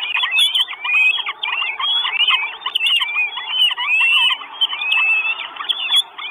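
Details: Four Northern Goshawk chicks at a nest in Estonia, filmed by a live nest camera on 1 June 2022, begging for food. Many overlapping thin, squealing whistles and chittering notes pour out continuously, rising and falling in quick succession.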